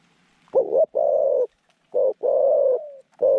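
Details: Caged zebra dove with a middle-pitched voice, kept as a decoy for trapping wild doves; crisp rolling coos, a short burst then a long rattling phrase ending in a gliding tail note.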